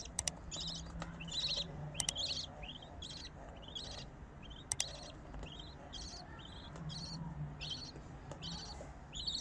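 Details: Budgerigar chicks being fed by their mother, giving a rapid series of short, harsh, buzzy rasping calls in quick bursts, with a few sharp clicks and low hum beneath.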